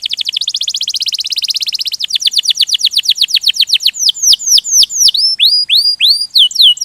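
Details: Canary rolling song: a fast buzzy trill for two seconds, then slower falling high notes, ending in clear rising-falling whistled slurs.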